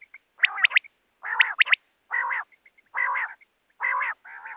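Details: Common quail (batair): two crisp triplet calls open, then a run of harsh, grating nasal bursts with faint soft chirps between them.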